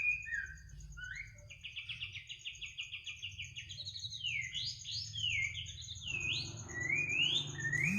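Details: Bird heard singing at midnight, mixing short whistles, a rapid even trill, then looping upward-swept notes, over a continuous high insect drone and a low background hum.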